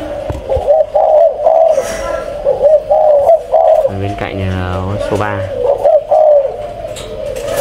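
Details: Breeding pair of caged spotted doves indoors, giving short, soft, low coos repeated about every half second in rhythmic bursts. A man talks in Vietnamese midway, and faint music sounds in the background.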